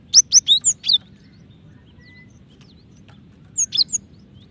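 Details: Female cinereous tit calling the male: a quick burst of five sharp, high, chirping notes, a long quiet pause, then a shorter group of three or four similar chirps near the end.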